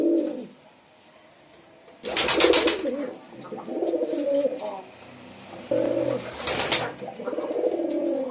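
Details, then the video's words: Low, burbling pigeon coos come in several bouts, broken by two loud bursts of broadband clatter, likely wings or handling noise, with a quiet gap early on. "Pigeon Sound || Different Different Pigeon Sound effect"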